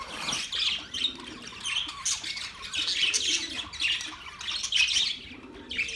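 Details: Budgerigars chirping: a dense, continuous chatter of short squawky and warbled notes, mostly high-pitched, overlapping from several birds throughout.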